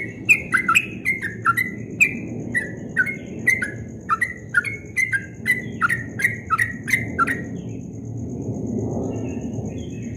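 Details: Yellow-vented bulbul at dawn giving its quick ropel song, described as sweet: about seven seconds of bright, descending whistled notes in quick succession, then the bird stops and a low rushing noise swells.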